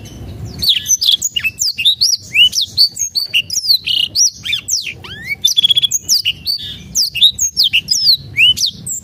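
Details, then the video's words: Black-throated canary lure song for birds reluctant to sing: a nonstop cascade of sharp, high chirps, trills and slurred whistles, energetic and varied, with one long falling whistle partway through. "PANCINGAN BLACKTHROAT MALAS BUNYI"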